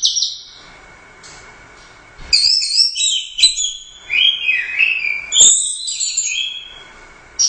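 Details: Orange-headed thrush, a competition bird that won first place at the Royal Cup, singing in a 'gacor teler doyong' style: high whistled and varied phrases with slurred notes after a quiet opening, plus brief clicks.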